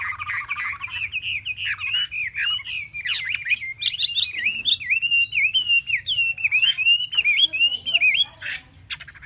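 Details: Three months in a cage, this Chinese hwamei sings a continuous warbling melody of wavering, zigzagging whistles, steady and varied, with a faint lower burr at the start.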